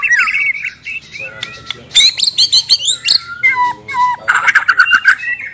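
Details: Bornean white-rumped shama of the gembung type, singing actively with a rich, varied repertoire, used to prompt silent shamas to sing: fluent whistled phrases, quick high sweeping notes and trills, harsher chattering bursts, then a rapid rolling series of notes near the end.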